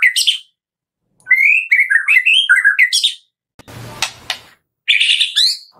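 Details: Morning lure recording of a Medan white-rumped shama for prompting caged birds to sing: bright, quick whistled notes and chattering flourishes in short bursts, broken by a harsh noisy rasp midway before the whistling resumes.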